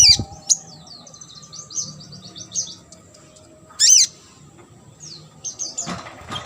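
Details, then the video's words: Sunbird, recorded as training material for competition songbirds, giving thin high twitters in a quick run, then one loud arched squeaky note and a few scattered sharp chirps. "KONIN GACOR ISIAN MASTERAN UNTUK BURUNG LOMBA."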